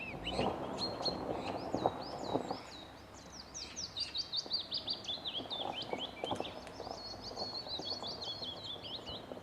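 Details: Birdsong on Cannock Chase during a quiet, relaxing outing: a continuous run of high, quick chirps and twittering notes, several birds overlapping, with scattered rustles and thumps below.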